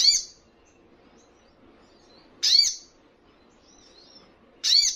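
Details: Crimson Sunbird training recording meant to make caged birds answer: sharp, very high buzzy notes sweeping downward, given singly about every two and a half seconds over quiet background.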